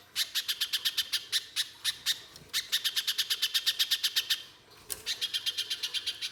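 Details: Pijantung pisang spiderhunter shooting song used to coax others into singing: crisp, loud chattering high notes in quick trains, with two short pauses between bursts.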